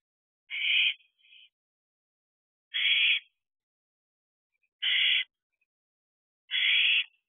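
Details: At night in an owl box, barn owl owlets utter harsh hissing screeches, four evenly loud rasping bursts of about half a second each, roughly two seconds apart, with a faint short echo after the first and silence between.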